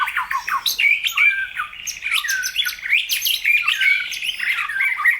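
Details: Energetic White-rumped shama song meant to provoke other birds, a dense rapid jumble of sharp chirps, slurred whistles and harsh notes tumbling up and down without pause, recorded close and clean.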